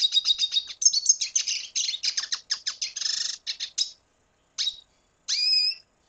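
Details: Red siskin from Venezuela singing: a rapid run of high twittering notes and buzzy trills, then a pause and two separate short phrases, the last a rising whistled note with a lower harmonic.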